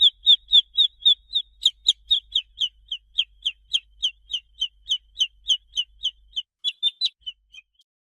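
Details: Baby chicken's gentle attention peeps: a quick, regular string of high, slightly downward-sliding notes that fades out near the end.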